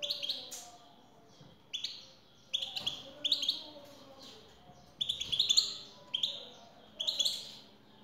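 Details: European goldfinch, female calling to draw song from a male: short bursts of bright, high twittering notes recurring about every second, with faint low murmuring beneath.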